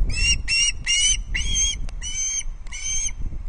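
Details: Loch Arkaig Osprey chick receiving its second fish on 19 August 2022; six sharp, whistled squeals, each slightly rising, in quick succession with short gaps, against faint background rumble.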